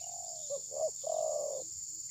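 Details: Spotted dove used as a trapping decoy, recorded on a phone. One phrase: a soft lead-in, two short coos, then a long steady coo lasting over half a second, with background hiss.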